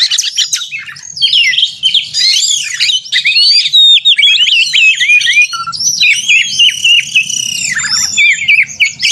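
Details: Oriental magpie-robin in loud fighting-style song for a contest simulation, meant to provoke caged birds; continuous looping whistles, curling slurs and rapid chatter with barely any pause throughout.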